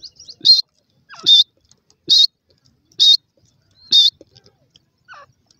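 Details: Grey francolin chicks squabbling over grass in the forest give five sharp, high-pitched peeps about one second apart, with a soft lower squeak near the end.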